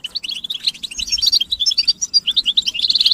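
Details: European goldfinch group twittering, used to stimulate males to sing and break their silence, with mating and readiness calls: a fast continuous run of bright tinkling, buzzy high notes, rising into a dense chatter at the end.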